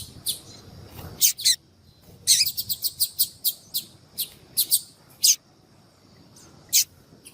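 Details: Female yellow-bellied seedeater (Sporophila nigricollis) calling to attract males, used to stimulate singing in males: short, sharp, high chips, singly and in quick clusters, about fifteen over several seconds, against a quiet background.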